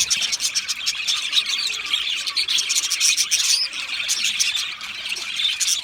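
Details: Aviary budgerigars giving a dense run of bright, rapid chirps and thin whistled notes, many voices overlapping into a steady high chorus.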